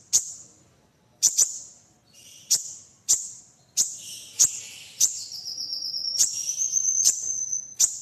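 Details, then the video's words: Sunbird (local name kolibri ninja) song used as a tutor recording for other cage birds: very high, thin chips and trills, ending in a long steady high whistle, with sharp clicks between phrases. "Masteran Kolibri Ninja Isian Mewah"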